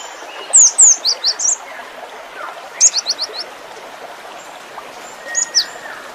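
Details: Cinereous tit singing a full, varied song: bright, high down-slurred whistled notes in quick bursts of four or five, with pauses between phrases, over a steady background hiss like running water.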